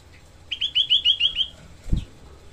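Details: In a tutor recording for training songbirds, a Grey-cheeked bulbul, locally cucak kelabu, gives a brief harsh 'tembakan' phrase of six rasping, slightly falling notes, followed by a single thump.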